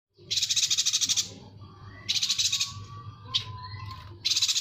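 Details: Yuhina in a recording meant for tutoring songbirds such as shrikes, leafbirds and magpie-robins: three loud, harsh buzzy rattles, each about a second long, with faint thin tones and a short chip between, over a low steady hum.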